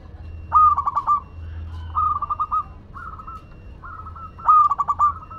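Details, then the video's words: Madura local zebra dove in full song: strong stuttered coo phrases, each a run of rapid soft pulses ending in a held note, alternating with quieter coos over about five seconds. "Perkutut Lokal Madura Gacor"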